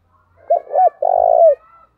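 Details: Fight-provoking call of a decoy spotted dove in the 'thổ' voice style: two quick arching notes, then a long, even, slightly pulsing coo that falls off at the end.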